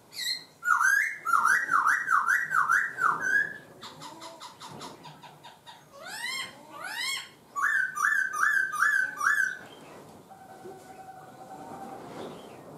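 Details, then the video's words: Laughingthrush singing a richly varied song that keeps changing voice: zigzag warbled runs, fast buzzy trills, upward sweeping notes, a series of quick repeated whistles, and a long steady thin note near the end. "chim khướu hót hay đảo giọng"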